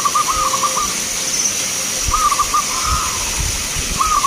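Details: At an anniversary song contest for local zebra doves in Magelang, Indonesia, mellow bubbling coo phrases come in short trilled bursts with pauses between them, over steady crowd and outdoor hiss.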